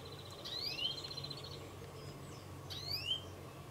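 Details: A male European greenfinch (Chloris chloris) calling gives a buzzy, drawn-out wheeze and two quick rising whistled sweeps, about two seconds apart, over a low steady rumble.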